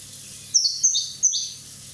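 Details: Corsican European goldfinch, one year old, giving two quick high twittering phrases of sharp liquid notes and short downward slides, with a brief gap between them and a quiet background.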